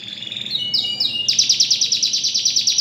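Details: Canary singing: high, bright whistled phrases that slide downward, then a fast, even trill of sharp repeated notes, about eight per second, running to the end.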